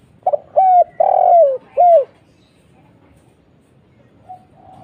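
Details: Spotted dove lure call of the 'kuk 1' style: a quick stuttered note, then a clean falling coo, a long rolling coo and a final falling coo. A faint distant coo follows after a pause.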